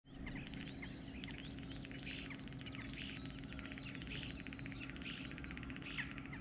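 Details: Common starling during courtship display and mating, chattering in a busy, unbroken jumble of clicks, rattles and thin high whistles over a steady low rumble of background noise.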